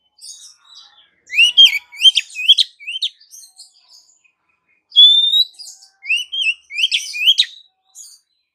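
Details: Female Oriental magpie-robin calling a male gives two phrases of rapid clear whistled notes, slurred up and down, mixed with harsh scratchy elements. The second phrase opens with a long level whistle.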